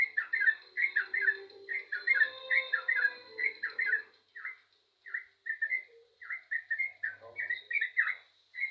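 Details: Vigorous yellow-vented bulbul song: a rapid run of bubbly whistled notes, then more spaced chirpy phrases with short gaps, over a thin steady background tone.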